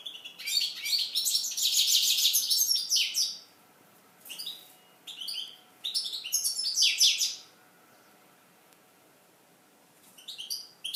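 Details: Eurasian siskin singing; bursts of high, rapid twittering and chattering notes, a long dense run over three seconds, then shorter scratchy phrases with pauses between them.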